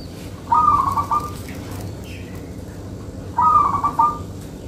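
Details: Two rolling, stuttered coo phrases about three seconds apart from a local zebra dove kept for luring, each phrase short and bubbly, over a continuous low background drone.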